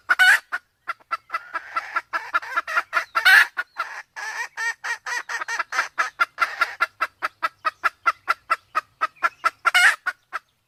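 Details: Sumatran red junglefowl pair, male and female, female in heat, recording used to lure wild birds: dense run of quick clucks, several harsh louder bursts, fairly regular rhythm throughout.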